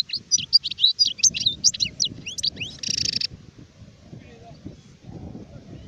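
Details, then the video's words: Adult European goldfinch (sharef) sings quick bubbling twitters and slurred chirps, ending in a harsh, nasal buzzy note, followed by near silence with soft low noise. "تغريد حسون كهل (شارف)"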